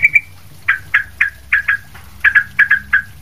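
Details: Sooty-headed bulbul singing, recorded as a tutor for other bulbuls: two quick high chirps, then paired, slightly descending chirps repeated at a steady pace over a low hum.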